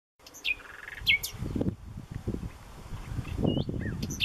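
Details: A singing male common nightingale (Luscinia megarhynchos), just returned, gives sharp rising whistles and a brief rapid rattle at mid-high pitch, with low rumbling background noise throughout.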